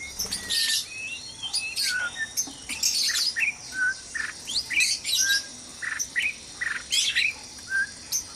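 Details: White-rumped shamas at dawn in a breeding cage: a rapid series of short whistled notes and high chirps, many dipping or rising, repeated in quick succession for the whole stretch.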